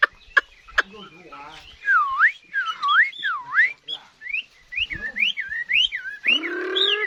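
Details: Loud looping whistles from a Chinese hwamei taken from the wild as an adult. Deep swooping phrases are repeated several times, then shorter rising whistles, and a thick, full note closes the passage.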